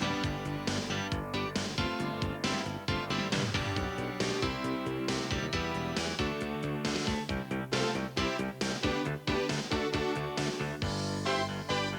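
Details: Only steady, rhythmic instrumental music plays throughout, with no animal calls heard.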